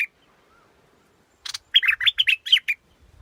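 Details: Scarlet-backed flowerpecker: one brief high note, a pause, then a rapid run of about ten sharp, bright chirps lasting about a second, over near silence.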